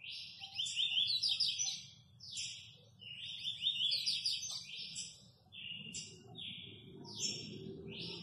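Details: Kept Double-collared seedeater from Guarujá, praised as a very fast 'velocista' singer, pours out dense, rapid chattering trills and buzzy whistles in bursts separated by brief gaps, over faint low rumble.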